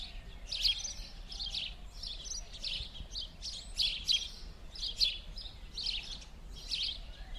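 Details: House sparrows in winter, Rue Gordon, Verdun, Montreal, 16 January 2016, chirp in quick, overlapping bursts, roughly one a second, with bright chattering notes over a low outdoor rumble.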